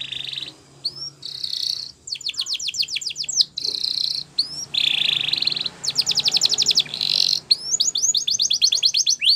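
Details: Canary training song in short bursts: quick rolling trills and buzzy phrases separated by brief pauses, with soft background hiss.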